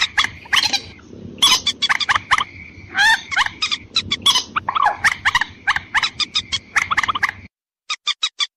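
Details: Lure call of white-breasted waterhen for females and males: continuous fast stream of harsh nasal and croaking notes over a steady whine and low noise, cutting off into four quick clean notes.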